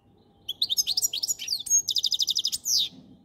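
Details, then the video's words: Twittering goldfinch song of fast liquid notes leading into a rapid buzzy trill of evenly repeated pulses, closing with a short drawn-out wheezy note. "Best Goldfinch song"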